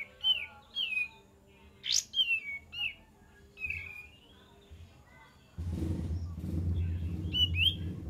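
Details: Kapas tembak bird song used as a lure: clear whistled, slurred notes, some rising and falling, delivered in short bursts, with low rumbling background noise growing loud in the last few seconds.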